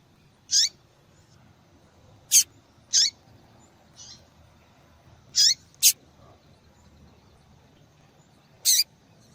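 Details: Female double-collared seedeater calling often to stimulate singing in males. About seven short, sharp, high-pitched chirps come at irregular gaps over nine seconds, with one fainter note among them.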